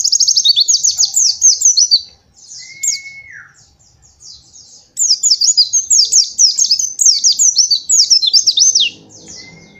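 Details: White-eye master song in the 'nembak' style, meant for young birds to copy: two long runs of rapid, high, rattling notes, a drawn-out falling whistle between them, and a faint rustle at the end.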